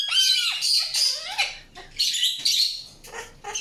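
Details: Indian ringneck parakeet making raspy broadband squawks and a few clear whistled slides, loud and closely spaced over a few seconds.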